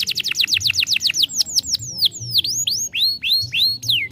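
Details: Young canary singing to stimulate other canaries: rapid series of downward-sweeping whistled notes, then slower rising and falling slurred whistles, strongly repeated, with faint low background hum.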